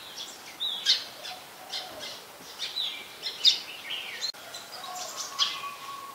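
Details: Brown-throated sunbird recorded in Ubon Ratchathani, Thailand, on 2 January 2021 with a Nikon P1000: sharp, high chips and short thin whistles scattered irregularly, about two dozen a minute, over faint steady background hiss.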